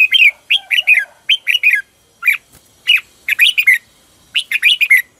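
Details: Red-whiskered bulbul singing in competition style as a lure bird, used to train birds and stimulate them to sing: bright, whistled two- and three-note phrases, each rising then falling, repeated in quick bursts roughly every half second with brief pauses.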